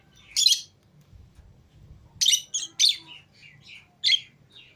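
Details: Two lovebird pairs, green Fischer's and lutino, out of their cage together indoors, give harsh, high chirps and squeaky screeches in short bursts, several in quick succession, over a low indoor hum.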